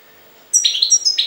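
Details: European goldfinch from Jagodina, Serbia: a short loud burst of liquid, tinkling twitter with high ringing notes layered over lower buzzy ones, lasting under a second.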